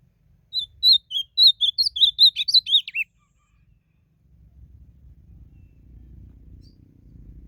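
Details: Blue-black grosbeak in nature, singing in a song contest: about twelve whistled notes over three seconds, clear and steady then faster and twisting, ending on a falling slur, followed by silence and low rumbling noise.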